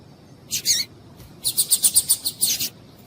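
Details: A female double-collared seedeater calls to stir males to sing: one harsh, high chirp, then a quick run of about nine short, evenly spaced, scratchy notes, ending in a slightly longer rasp.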